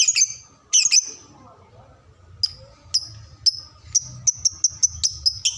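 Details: Lovebird recording meant for young birds learning their song: two chirp bursts, a pause, then short high chirps repeated faster and faster, about one every fifth of a second by the end, over faint low hum.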